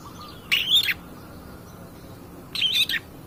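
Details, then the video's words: Long-tailed shrike used as a lure recording to provoke other birds: two short, harsh, raspy bursts with a scratchy, noisy texture, spaced about two seconds apart, over a faint steady background hiss. "pancingan cedet pastol gacor"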